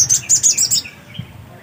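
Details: Black-capped white-eye singing energetically, a quick burst of very high, thin, bright twittering notes in rapid succession, then a fading lower trill and a faint click.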